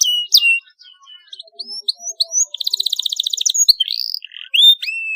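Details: Canary song used to prompt other canaries into singing: scattered whistled notes and upslurs, a rapid buzzy trill in the middle, then more rising and falling whistles.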